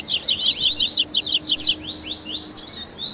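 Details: Captive double-collared seedeater warm-up: rapid, buzzy, high chirps packed together, easing into a few longer rising whistled notes near the end.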